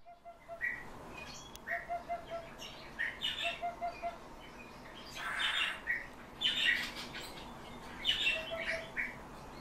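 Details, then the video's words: Eurasian hoopoe song: soft, low, hollow 'oop-oop-oop' triplets repeated every couple of seconds, behind louder, higher chirping from other birds. "ПЕСНЯ УДОДА"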